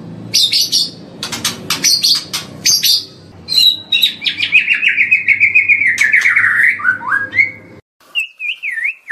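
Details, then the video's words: White-rumped shama song from a long morning training recording. Opens with bursts of scratchy, chattering high notes, then a long run of quick warbled whistles that slowly fall in pitch. A brief gap follows, then twisting whistles. "Masteran Murai Batu Durasi Panjang Untuk Pagi Hari"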